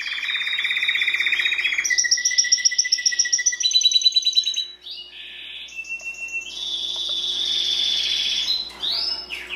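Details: Training song from a Timbrado canary: a low buzzy rolling trill, then higher stuttered notes, a softer pause, and long sustained whistled trills; faint hum in the background.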